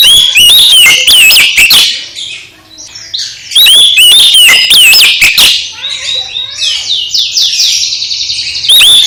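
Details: Oriental magpie-robin (kacer) singing loudly to stimulate another magpie-robin: bursts of varied sweet whistles and harsh chips, followed by a softer run of quick repeated notes.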